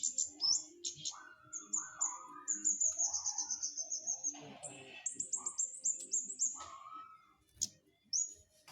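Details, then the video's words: Lively flowerpecker song: quick, regular trains of very high, thin tick notes, about four per second, with brief sharp chips between them and lower rising whistled phrases from another bird underneath. "Burung cabe cabean gacor"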